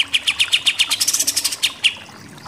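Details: Pied triller in 'nembak-nembak' song. Quick, bright, pulsing notes repeat several times per second for under two seconds, then the song ends in two spaced, slurred notes.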